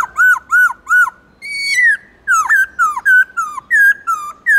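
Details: Black-throated laughingthrush, played to help young and quiet birds sing: three arched whistles, a long level whistle, then rapid varied whistled notes.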